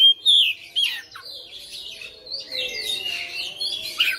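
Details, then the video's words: Oriental magpie-robin bred at home, singing persistently in a fighter style and revealing its learned phrases. Two loud whistled notes open, followed by a long stretch of softer, continuous scratchy warbling with a sharp note near the end. "KACER RUMAHAN FIGHTER NGOTOT | GACOR | BONGKAR ISIAN"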